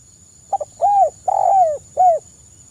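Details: Soft kuk I call of a spotted dove, suited as a lure: a brief double stutter followed by three low, rounded coos with falling tails, the second drawn out longest, over a quiet background with a thin constant high hum.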